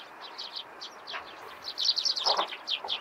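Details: Loud, close morning chirps from Eurasian tree sparrows, repeated sharp twittering notes that build into a rapid excited run in the second half, with light hiss beneath.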